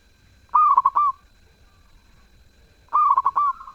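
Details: Zebra dove singing: two melodious cooing phrases about two and a half seconds apart, each a rapid burst of stuttering notes settling into a steady, gently falling tail. The background is otherwise quiet.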